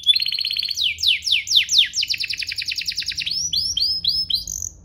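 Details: Domestic canary song for tutoring juveniles and prompting song. A pulsed trill turns into a cascade of loud downward sweeps, followed by rapid falling notes and a few rising whistles at the end.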